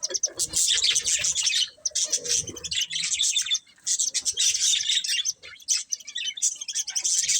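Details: Budgies of a breeding pair give a steady stream of hissy, high-pitched chirps and warbles in long bursts, with a short lull just before the four-second mark.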